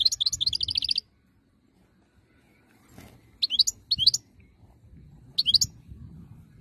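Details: Song of a European goldfinch from Algeria, 2022, opening with a rapid run of tinkling repeated notes, then silence and later short sharp twittered fragments over soft low background noise.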